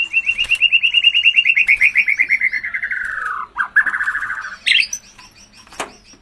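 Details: White-rumped shama in full song, used to stimulate other shamas to sing: a long, rapid, buzzy trill of repeated notes that slowly falls in pitch, then a second lower trill and a sharp upslurred note.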